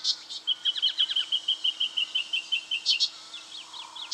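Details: Brown treecreeper in Victoria, Australia, October 2011: a rapid, even run of about eighteen sharp, high piping notes lasting roughly three seconds, with harsher chattering notes from another bird at the start and near the end.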